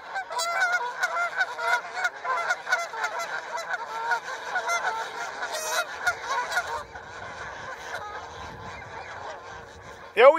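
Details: Flock of Canada geese on the Rideau River, Ontario, in August, recorded from a safe distance during a fight. They honk loudly and continuously in overlapping harsh calls, easing off after about seven seconds, with a sharp rising sound at the end.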